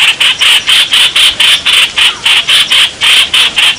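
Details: Bulbul courtship calling on 28 May 2021: an even, rapid string of loud, scraping notes, about four per second, throughout.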